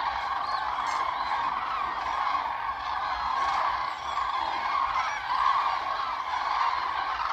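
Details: Common cranes, a large distant flock on lagoon meadows near Ribnitz on Germany's Baltic coast, heard from a bike path; a dense, unbroken chorus of many overlapping trumpeting calls swelling and fading throughout.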